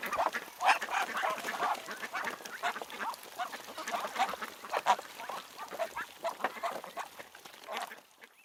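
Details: A July chorus of ducks and drakes on Tsnyanka Reservoir near Minsk: a dense, continuous jumble of overlapping rasping quacks from many birds, fading toward the end.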